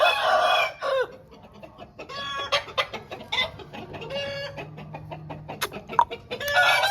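An Aseel rooster crows loudly with a rough, drawn-out call at the start and end. Short clucks and brief calls from other fowl fill the gap between.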